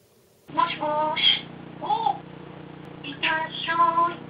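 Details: Young pet grey parrot chattering indoors in a speech-like voice: several voiced, harmonic syllables rising and falling in pitch, in two phrases, over a steady low hum.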